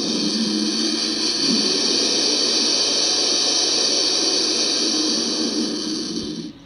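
A turkey vulture gives a steady, breathy hiss, harsh and airy, held for about six seconds before trailing off at the end.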